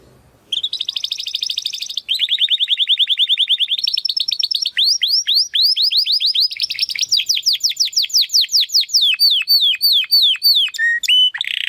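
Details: Belgian canary delivering a long continuous song: dense rapid trills at mid pitch shifting into a steady series of sharply descending sweeping notes, ending with a few lower whistled notes.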